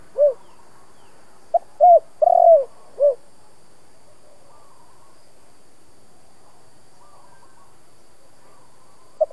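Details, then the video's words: Spotted dove cooing in the 'thổ' voice style, used to provoke wild doves: one soft four-part phrase of short notes, a rolling middle coo and a drooping final note, then near silence with a faint closing note. "Tiếng Cu gáy kích bổi mới nhất"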